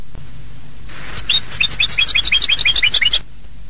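A European goldfinch sings a fast, tinkling run of liquid twitters and bright chips, about two seconds of rapid high notes over a faint low hum.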